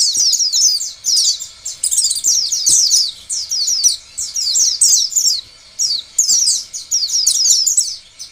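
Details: Oriental white-eye song meant to set other white-eyes singing: bright, very high chattering runs of slurred notes, each burst about a second long, with brief silences between.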